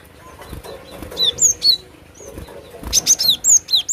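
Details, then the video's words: Cinereous tit singing: two short bursts of high, clear whistled notes, each note sliding down in pitch. A brief phrase is followed by a longer run of about seven quick notes. Faint background hiss. "SUARA ASLI BURUNG GLATIK BATU"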